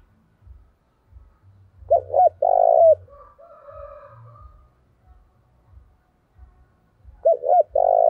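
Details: A spotted dove used as a decoy coos forcefully to incite fights. It gives a phrase of two clipped hooked notes and a long rough coo, repeated after about five seconds. A fainter second dove answers in between, over soft low thumps.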